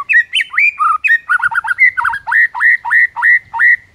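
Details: White-rumped shama singing in the morning to rile rival birds: loud whistled phrases, then a steady series of about seven identical upslurred whistles repeated roughly every third of a second.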